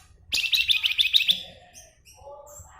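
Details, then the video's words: Javan fulvetta (flamboyan), singing actively, gives a fast, loud, high buzzy trill of repeated notes lasting about a second, followed by softer scattered chirps and lower warbling notes. "Flamboyan Gacor Nyuling"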